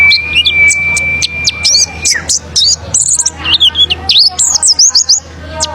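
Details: Lure song of the oriental white-eye (pleci), meant to prompt other birds to sing: a thin steady whistle at first, then quick high chirps building into a lively, jumbled twittering run.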